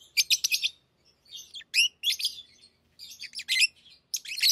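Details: Tame lovebirds chattering in high, shrill squeaks and quick stuttering notes, bursts coming in clusters with short pauses, faint low hum behind.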